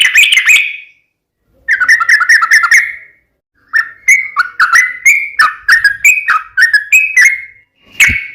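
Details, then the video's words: Yellow-vented bulbul singing in lively, chattering form, with a short bubbly burst, then series of quick liquid whistled phrases, mostly mid-pitched, some slurring up or down, delivered in clusters separated by brief pauses. "KICAU SUARA trucukan gacor TARUNG UPLIK ROPEL TAJAM"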